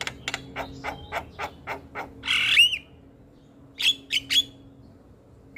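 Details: Javan myna chattering nonstop, mixing a fast run of short harsh broadband notes with a loud raspy burst and a few clear whistled upslurs near the end.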